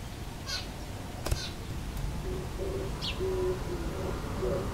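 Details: Oriental turtle dove, a backyard visitor, singing its breeding-season song from a neighbour's antenna on 10 April 2022, recorded from a second-floor balcony: soft, low hooting coos in a short broken phrase over steady background hum, a few faint high chirps before.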